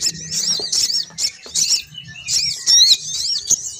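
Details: Female sogon bird lure call meant to draw males down: dense high twittering and wavering warbled chirps, with sharp clicks or taps between phrases and a faint low hum beneath.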